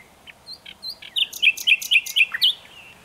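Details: Common nightingale song: a quick series of about eight sharp, chirping notes repeated roughly four times a second, preceded by softer whistled fragments.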